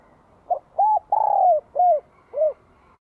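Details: Spotted dove with a ringing bell-type voice, Vietnam, spring 2023, calling vigorously to stir wild doves: one full phrase of five soft coos, a brief opener, an arched note, a long descending coo, then two rounded closing notes.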